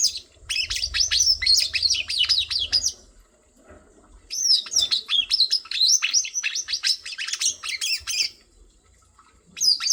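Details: Bird chirping in fast, dense bursts of high, sharply sweeping notes lasting about three seconds, separated by a brief pause, with a faint low hum underneath.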